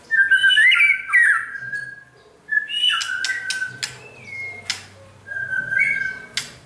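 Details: White-rumped shama under training delivers clear whistled phrases, some sliding downward and others held level, separated by crisp clicks and brief silences.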